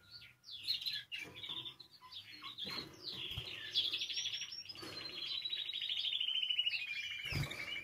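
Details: Canary singing, the song used to stimulate other canaries into song: assorted chirps and whistles lead into a long rapid trill that slowly falls in pitch.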